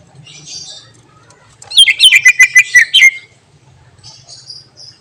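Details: Greater green leafbird in full song with mimicked phrases: faint scratchy twitters, then a loud, rapid string of about eight sharp, ringing whistled notes, followed by quiet high twittering.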